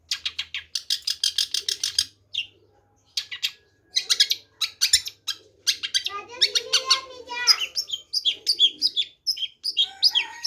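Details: Long-tailed shrike delivering long stretches of fast, scratchy, chattering notes in repeated bursts with brief gaps, later mixing in twittering, trilled phrases and a few thin whistles; a soft low hum lies underneath.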